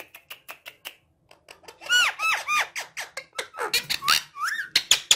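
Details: Talking parrot starting with soft rhythmic clicks, then breaking into a fast run of loud arched harmonic squawks and chatter, ending with a sharp rising whistle.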